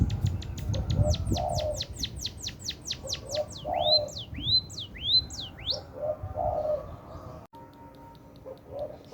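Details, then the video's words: Munia singing actively: a rapid train of thin high ticks that lengthen into swooping, descending whistled sweeps, then a few rising-falling notes, over low cooing notes and faint background rumble. "Kicau Burung Emprit Gacor"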